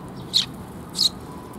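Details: A sparrow coming to be fed at a perch on 7 June 2021 gives two separate loud, high chirps about two thirds of a second apart against a quiet background.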